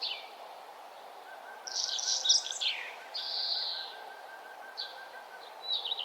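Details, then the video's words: Birds singing along a nature trail as the sun rises. Loud, rapid twittering bursts and sharp slurred notes stand over a faint, evenly pulsed note repeated many times in a row, all above a constant low rushing background. "birds singing and the sun arising"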